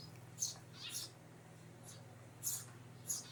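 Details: Eurasian tree sparrow in its hideout: quick bright chirps in loose pairs, five or six short high notes over about three seconds, against a constant low humming background.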